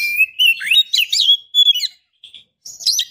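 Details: Female white-rumped shama, in breeding condition, calling a male: an almost unbroken stream of bouncing whistles and squeaky chips, then short, quieter buzzy notes after a brief pause.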